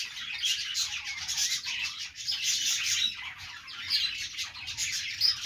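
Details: Pet budgerigars, Australian parrots, making happy sounds during their morning routine: dense, continuous high chirping and warbling with scattered sharp squawks, several birds calling at once.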